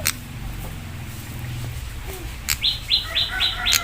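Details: Prinia giving a loud 'spicy' lure song meant to make other prinias answer and get agitated: after faint low rumble, a rapid run of bright downslurred notes repeated about four times a second, with sharp clicks.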